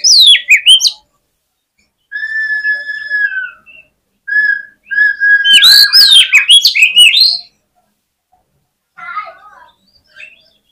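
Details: Oriental magpie-robin singing to provoke rivals: a short burst of sharp falling notes, then several steady, sustained whistles, a loud rapid chattering and swooping phrase, and faint scratchy notes at the end.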